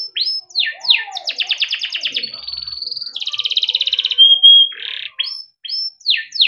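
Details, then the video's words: Yellow canary in long kenari gacor song, meant to prompt young or silent canaries to sing. Descending chirps, a rapid rolled rattle, a thin steady whistle, another buzzy roll and a pure high note follow quickly. "burung kenari gacor PANJANG untuk pancingan kenari paud || masteran kenari - yellow canary singing"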